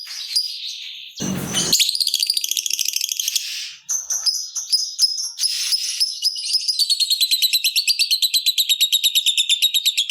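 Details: Long ngekek song of a lovebird fighter, used as a prompt to get other lovebirds singing: high squeaky chatter after a short noisy burst, breaking into extended rapid rattling trills pulsing about three times a second, nearly continuous to the end.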